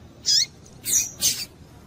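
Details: Female Double-collared seedeater calling to excite and stimulate a male into singing. Three short, very high, bright chips with a faint lower descending trace, spaced about half a second apart over a quiet background.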